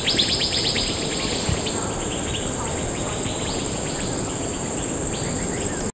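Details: A large, noisy flock of Asian fairy-bluebirds in a fruiting tree in Bukit Timah Nature Reserve at dusk gives many quick, sharp, liquid overlapping calls, fastest at the start, over a steady high insect drone.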